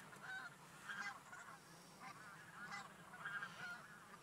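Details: Geese flying from feeding fields toward a lake, with clear, separate honks. Short nasal notes come in quick pairs and triples among fainter calling.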